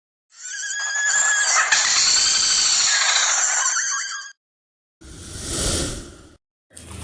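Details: A Chestnut-breasted Malkoha, endemic to Java, Sumatra and Kalimantan, gives one very powerful, long, shrill, human-like scream lasting about four seconds, followed by two shorter harsh, noisy bursts.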